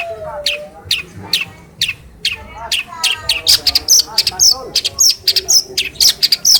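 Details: Hand-raised captive long-tailed shrike from Cilacap, tutored with phone recordings and praised for imitating other birds, delivers a busy run of harsh, buzzy bursts interleaved with sharp high whistled notes, roughly two per second, growing denser and louder toward the end.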